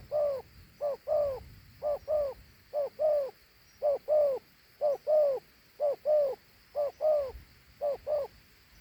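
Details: Two-note cooing from a large, fine Thổ Hú dove. Each soft, mellow pair of hoots comes roughly every second in an even series, with little else audible.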